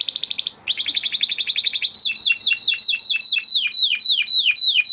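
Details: Captive crested Spanish Timbrado canary from 2020 breeding performs its training song: a high rapid trill, a second fast bright roll, then a slower series of clear, downward-curving whistled notes repeated about four per second.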